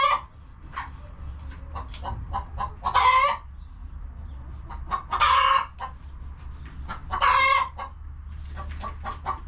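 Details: Clucking coop chickens on a homestead keep up light, scattered clucks while three loud, rasping squawks ring out at roughly two-second intervals, over a steady low rumble.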